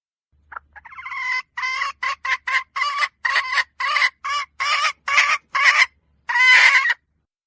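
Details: Hen, 2023, starting with a few short rising notes that build into a long series of about twelve loud, raspy cackling syllables, with a drawn-out final note.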